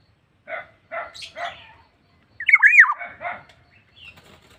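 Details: Black-naped oriole gives repeated harsh nasal notes, a loud twisting slurred whistle in the middle, then more rasping notes.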